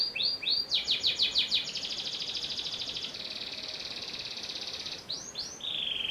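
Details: Panda canary in song, opening with a few slurred notes and a fast rattle, then a long even rolling trill, ending with loud swooping whistles.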